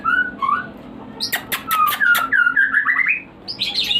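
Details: Breeding-stimulation song of a captive white-rumped shama, mixing low fluting whistles with sharp clicking notes, followed by a run of descending slurred whistles and a high buzzy flourish.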